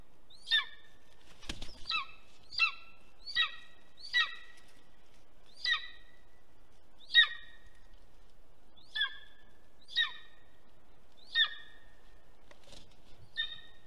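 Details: Golden eagle at a nest in Estonia, 2021, from a nest camera: a long run of short, high, downslurred yelps, mostly about 0.7 seconds apart with a few longer gaps, and one clattering knock near the start.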